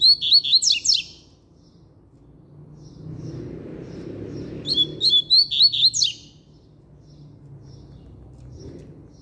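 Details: Double-collared seedeater in strong song, giving two brief bursts about five seconds apart, each a rapid run of six or seven sharp, high chirped notes, with a soft rushing background noise between them.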